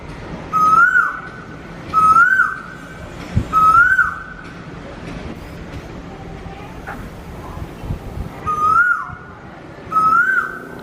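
Asian koel giving loud, clear, rising whistled 'ko-el' notes, about one every one and a half seconds, with a short pause midway; faint background hum.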